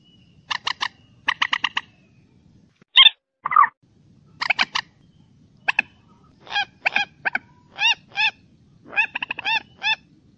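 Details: Common moorhen calling on a trapping lure recording: loud, nasal, stacked notes in quick runs of two to four, with pauses between runs. One shrill squeal and a lower croak come early. Background is quiet.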